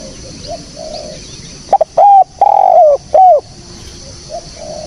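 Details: Spotted dove cooing, recorded clean for use as a lure. A single phrase has a brief lead note, a short coo, a long wavering coo and a short closing coo, with soft distant coos on either side.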